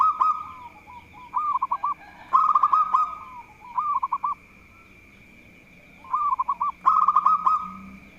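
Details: Local zebra dove singing keenly to provoke rival birds: repeated phrases of quick bubbling coos alternating with louder fast rolling trills and clicks, returning after a quiet gap, with a thin steady whine in the background.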